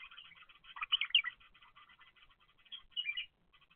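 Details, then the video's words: Young bulbuls in the nest, recorded on a surveillance camera following chicks from egg to growing up: loud, dense, high chattering and squeaky cheeps in quick overlapping series, peaking twice, over a silent background. "افراخ البلابل من البيضة الى ان تكبر"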